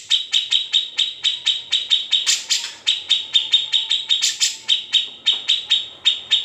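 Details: Unedited grey-cheeked bulbul song used to tutor white-rumped shamas and leafbirds: quick, sharp high notes repeated in a steady series, with two louder, rougher bursts, and a faint thin whistle beneath.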